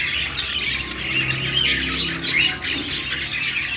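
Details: Happy budgerigars chirp and squawk together. A busy stream of high, warbling notes and short sharp chirps runs throughout the short recording, steady in loudness.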